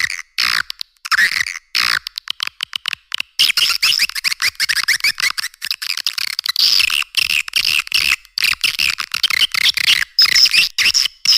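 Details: Swiftlet-attracting call of the edible-nest swiftlet: rapid trilling, chirping chatter in long runs, interrupted by short pauses and occasional thin whistled squeaks toward the end.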